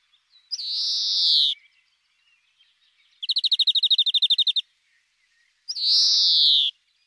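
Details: European greenfinch alternates a drawn-out wheezy buzz lasting about a second, a fast ringing trill of around fifteen notes, and another long nasal wheeze.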